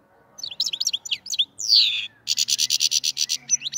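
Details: A black-headed goldfinch from the Andijan, Kuva and Fergana area gives rapid thin chirps, then one long loud descending slur and a steady run of about a dozen buzzy pulses before a few closing tweets. A faint low hum sits underneath.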